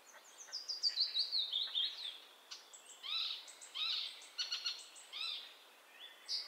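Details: Icterine warbler, a summer migrant, pouring out a rapid, varied song of high whistles, squeaky slurred notes and chattering trills, with repeated rising-falling nasal phrases and brief pauses between bursts.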